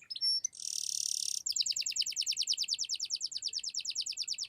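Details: Canary in full song, meant to spur silent birds to sing: a brief chirp, a harsh buzzy rattle lasting about a second, then a steady rolling trill of quick, evenly repeated notes to the end.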